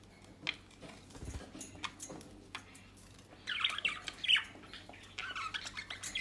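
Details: Pet budgerigars in South Holland, Netherlands, eating dry leaves and grass bought at a bird shop. Soft clicks and rustles come first, then a run of bright, scratchy warbled chirps fills the second half.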